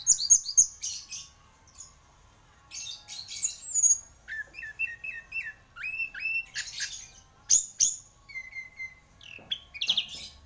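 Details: Singing champion orange-headed thrush mixes harsh bursts with clear repeated mid-pitched whistles and quick slurred phrases, continuing for over ten seconds.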